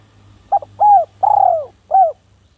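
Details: Spotted dove, village form, calling to a rival in a four-part phrase: a brief broken coo, two long falling coos and a final shorter falling note, low and mellow over a faint hum.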